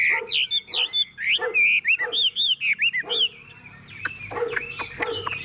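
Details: Tame caged Chinese hwamei singing while its cage is hand-carried and shaken: bright whistled notes swooping up and down, about four per second, then a run of sharper, scratchier high notes toward the end.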